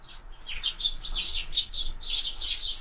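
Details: Sparrows feeding at window-mounted feeders give a continuous jumble of high, scratchy chirps, closely packed and overlapping throughout.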